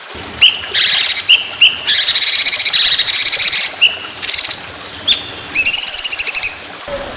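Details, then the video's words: White-rumped shama in a training recording for songbird contests: varied song mixing clear, high whistles, dense chattering trills and fast rolled note strings that change pitch, over a low hiss. "Masteran Burung Lomba Tembakan Panjang Roll Speed"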